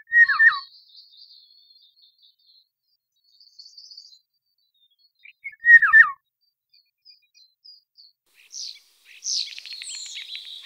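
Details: Eurasian golden oriole (Oriolus oriolus) giving two short, fluty whistled phrases about six seconds apart, each a quick liquid tumble of notes; faint high twittering from other birds fills the gaps and the end.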